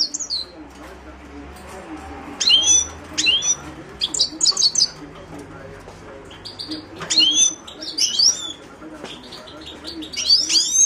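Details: Carduelis caniceps, the Himalayan goldfinch, delivers scattered phrases of sharp chirps and thin whistled slurs separated by quieter gaps, with a soft low hum behind.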